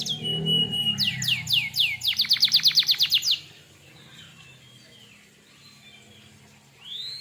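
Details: Canary in 'gacor' song meant to provoke other canaries into answering; a steady whistle, then a burst of rapid repeated downslurred notes speeding into a fast rattle, followed by quiet and one closing upslur.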